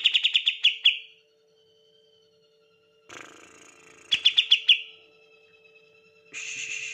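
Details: Cucak ijo, the green leafbird, in a lure ('pancingan') song: rapid bursts of loud, high staccato notes that trail into a thin sustained whistle, alternating with harsh noisy stretches.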